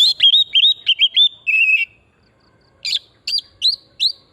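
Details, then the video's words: Oriental magpie-robin singing in a wild forest setting, a lure to stimulate singing: a quick series of looping whistled phrases falling slightly in pitch, a pause, then four separate sharp rising whistles. "Pancingan burung kacer pesona hutan murni gacor"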